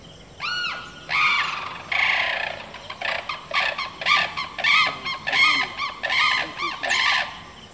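Sarus cranes give loud, brassy trumpeting calls, rich and ringing, in a rapid series of about one note a second. Some notes overlap.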